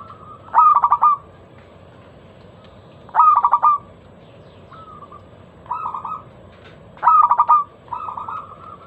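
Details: Zebra dove lure song from a local bird, meant to start other doves: loud phrases of four or five quick ringing coos every two to four seconds, interspersed with softer held notes.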